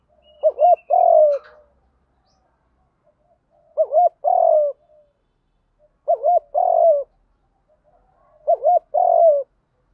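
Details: Spotted dove lure recording of continuous 'đồng gù đấu' fighting coos: four evenly spaced phrases, each a quick wavering double hoot then a longer falling coo, about every two and a half seconds in silence.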